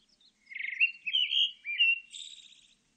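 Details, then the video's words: Pale thrush singing one phrase against a silent background: three clear whistled notes, each slurred and gently rising, followed by a thin, buzzy, high twitter that fades out. "흰배지빠귀, 1번 듣기, 곤충소리, 새소리"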